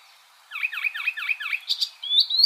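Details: Icterine warbler song: a run of five quick repeated V-shaped notes sweeping down and up, then brighter chattering notes and a thin rising whistle at the end.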